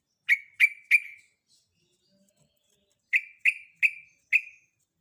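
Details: Female sooty-headed bulbul in breeding condition calling to a male: two bursts of short, sharp chirps near the same pitch, three then four notes, separated by a silent pause.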